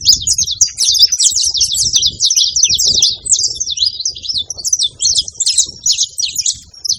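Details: Wild saffron finch, free in nature, delivering a long, lively song of rapid high twittering notes, quick sharp slurs and short trills strung tightly together for seven seconds over faint low background rumble.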